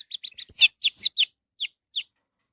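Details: Orange-headed thrush song, played as a lure to make other birds sing: a rapid run of bright chirping notes, some louder buzzy bursts in the middle, then two spaced single chips.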